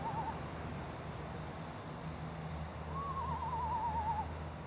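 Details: Eastern screech owl, a small owl with about a 15-inch wingspan, giving a quavering, whinny-like trill that slides gently downward over about a second, after a brief opening note, over a steady low hum.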